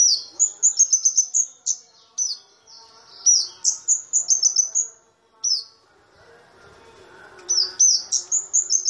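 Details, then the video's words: Flowerpecker song used as a lure and as material for white-eyes, from a small bird with a loud voice: clusters of high, thin chirps and slurred whistles separated by pauses of one to two seconds, with a faint low hum. "Pancingan Cabe-cabean"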